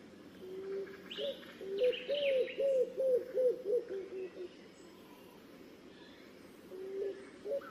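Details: A pigeon's rapid run of low arched coos, about six bouncing notes in quick succession, then a pause and two more coos near the end, with faint higher chirps from other birds.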